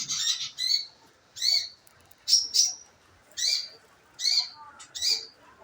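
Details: Scarlet minivet call used as a lure to make the bird sing: short high, sharp notes repeated about once a second, each with a brief downward slur, over quiet background.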